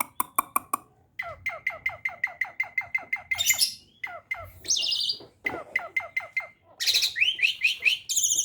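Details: Starling kept as a beginner bird, singing a varied song: a quick run of descending slurred notes, then harsh buzzy bursts and high whistled upslurs, with sharp clicks at the start.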